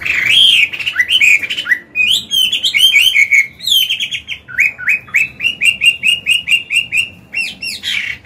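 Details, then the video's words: Chinese hwamei, an old wild-caught bird with a forest-style voice, singing to train and stimulate caged birds: varied whistled phrases, then a fast series of about twelve repeated upslurred notes, loud and continuous. "Họa mi già giọng cực hay, luyện bổi, kích trống hót hay"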